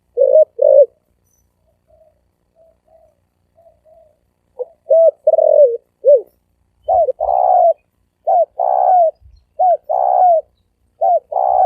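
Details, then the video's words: Spotted dove cooing in the fast 'thổ ồm vang' style. Mellow, hollow coos come in close pairs and short runs, with soft faint notes in a quiet middle stretch. Then rapid, insistent coo phrases repeat with brief gaps. Occasional soft knocks. "Tiếng chim cu gáy thổ ồm vang gáy gù siêu tốc siêu nhanh"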